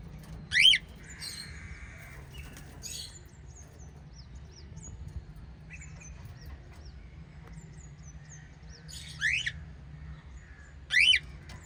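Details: Pet white lovebirds; three loud, sharp sweeping chirps stand out against a quiet room with a steady low hum and a few faint, thin peeps between them.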